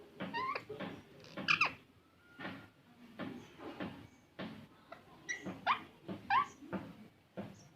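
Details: Green parrot giving a run of harsh, broadband squawks mixed with short rising and falling chirps, about two calls per second with brief pauses, fairly loud and close, in a quiet setting.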